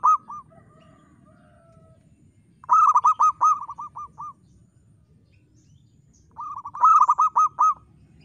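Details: Active singing from a local zebra dove with a crystal voice: three phrases of quick, bubbling coos, each a run of about six to eight notes, separated by short pauses over a quiet low hum.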